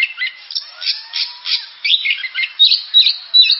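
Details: Oriental magpie-robin song with harsh squawky notes and chatter, a soft low whistle gliding downward in the first half, then loud clipped whistled notes repeated in quick succession.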